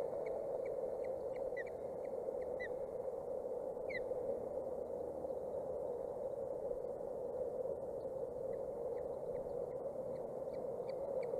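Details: Osprey chicks, 27 and 29 days old, tottering and teetering at a nest watched by a camera in Boulder County, 14 June 2019; short high peeping chirps in loose series, some doubled, over a steady low hum.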